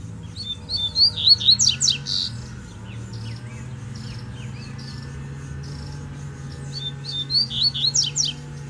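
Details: Wild Double-collared seedeater in the bush, singing to challenge a rival over territory; two bursts of fast twittering, whistled notes with sharp descending sweeps, separated by a pause, over a low background hum.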